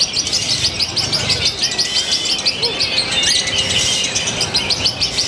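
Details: Lovebird from Purwakarta city, Indonesia, in a showy new singing style with very short pauses; a fast, unbroken stream of shrill chattering chirps, with a few thin whistled notes woven in.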